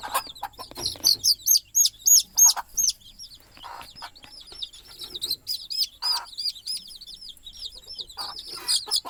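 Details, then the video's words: Mother hen and her small chicks going to sleep for the night on the nest; shrill, hooked chick peeps come in quick bursts, broken by brief low clucking from the hen and light rustling. "Mother Chicken Calling Chicks Go to Sleep - Baby Chicken Chirping Noises"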